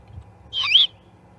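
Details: Juvenile great horned owl at the Charlo osprey nest, 21 October 2020, giving a single loud, hoarse screech of about a third of a second, raspy and slightly wavering, over faint low hum.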